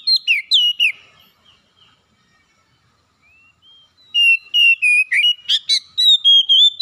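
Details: Oriental magpie-robin, a home-kept bird, singing gacor: bright swooping whistles open, a hush follows, then a rapid series of ringing, evenly repeated whistled notes with a few harsher accents.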